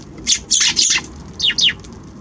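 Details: Eurasian tree sparrows at a balcony on January 6: three harsh, buzzy chirps in quick succession, then two clear descending notes, all loud and close over a soft low hum.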